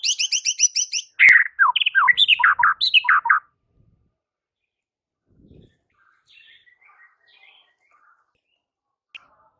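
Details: White-rumped shama song meant to lure other shamas into singing: an opening of rapid, very high buzzy notes, then loud varied whistled and warbled phrases, followed by near silence with faint distant chirps.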